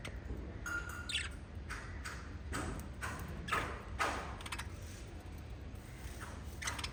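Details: Small group of five lovebirds kept as a parrot family, giving scattered sharp chirps and brief squawks about twice a second, irregularly spaced, over a constant low background hum.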